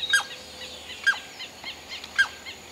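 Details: Greyish saltator feeding near Esperanza, Santa Fe, Argentina, in 2022: three sharp, short call notes spaced about a second apart, each with a quick downward sweep, over faint chirping from other birds in the background.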